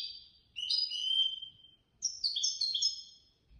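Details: Competition goldfinch, third-place winner at a contest run by a Casablanca bird lovers' association, delivering two loud phrases of high, tinkling, buzzy twitters and sliding whistles separated by a short pause.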